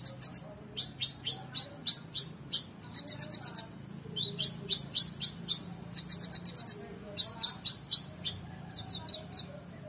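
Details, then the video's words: Oriental magpie-robin singing, recorded as training material for competition birds: bright, high whistled and chattering phrases in quick bursts, with short repeated notes clustered in runs and brief pauses between groups, over a faint low background hum. "KONIN GACOR EMOSI FULL BONGKAR ISIAN MEWAH‼️Cocok Untuk Masteran Burung Lomba"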